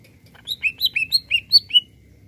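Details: Energetic greater green leafbird song meant to rouse other birds, a quick series of about eight bright, downslurred whistled notes, evenly spaced and ringing.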